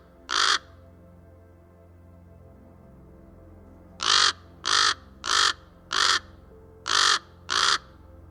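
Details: Common Raven (Corvus corax) in Canada giving harsh, hoarse croaking calls: one, a pause, then six in quick succession about every half second, over a faint background hum.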